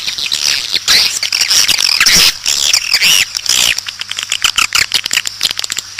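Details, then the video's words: A swiftlet mating ("birahi") lure call recorded outdoors: dense, high, buzzy twitters for about four seconds, then a run of quick dry clicks. "WALET SENJA | SUARA PANGGIL BIRAHI"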